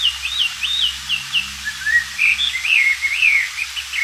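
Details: Wild Oriental magpie-robin in lively song, used as a tutor for training white-rumped shamas: a steady stream of clear, wavering slurred whistles rising and falling over a low engine-like hum.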